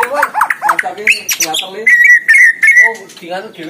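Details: Competition white-rumped shama in energetic song. Quick looping whistles in a bouncy sequence, a few sharp high notes, then pure level whistled tones held briefly before short chattering phrases.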